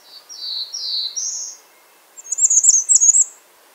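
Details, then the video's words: Bay-breasted warbler, clear and close: four smooth, very high slurred notes in quick succession, then a rapid stuttering trill of sharp high pips lasting about a second. "Bay breasted warbler Calling"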